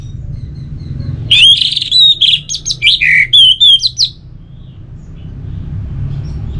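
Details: Relaxed song of an orange-headed thrush, played to encourage birds that have stopped singing: one phrase of about three seconds of loud, varied whistles and chirps, some dipping lower mid-phrase, then quiet low hum.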